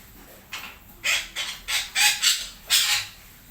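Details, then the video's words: Red-breasted parakeet in the morning giving a quick series of about seven harsh, raspy, screechy notes, each short burst following the last with little pause, over a quiet background. "KICAUAN MERDU BETET SUMATERA PAGI HARI"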